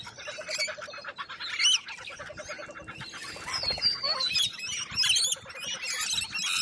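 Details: Australian wild lorikeets screeching loudly; piercing squawks with rising and falling slurs pile up over a steady chatter, and short runs of low rapid pulses appear early on.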